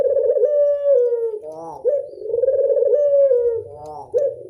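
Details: Barbary dove, a local bird, in its classic 'angungan' cooing style. Deep, purring sustained coos slide slightly down, then break into a short fluttering drop, repeating roughly every two and a half seconds.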